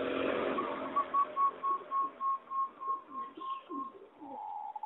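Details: Singing zebra dove bred for competition, in an aviary, 26 April 2014: a series of about a dozen short, even, whistled coos on one pitch, evenly spaced, then lower soft notes and a final longer coo.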